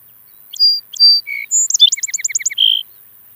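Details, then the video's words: Song sparrow, native to North America, singing: two pairs of clear whistled notes, a lower note, then a rapid trill of about eight paired chirps ending in a buzzy note. "O canto do Tico tico musical ( Melospiza melodia )"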